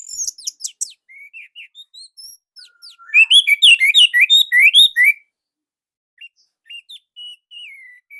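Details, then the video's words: Orange-headed thrush from Indonesia, recorded as training material for other birds. Thin high notes and soft whistles lead into a loud, dense run of quick varied chirps. Scattered slurred whistles follow after a pause. "Anis Merah Indonesia //Masteran Paling Enak"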